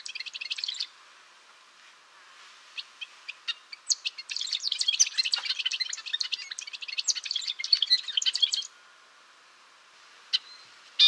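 A golden-rumped euphonia sings a rapid, high jumble of twittering chirps and sharp notes, with a long busy burst in the middle and brief pauses between phrases.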